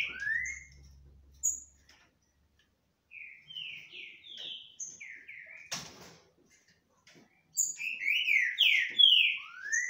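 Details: Caged green-winged saltators singing face to face without fighting trade loud, rich whistled phrases of slurred rising and falling notes in bursts with short pauses; a sharp knock sounds midway.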